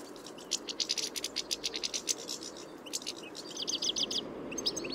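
A European Goldfinch sings a quick, tinkling twitter of high, clipped notes in bright bursts, over a steady low background rumble.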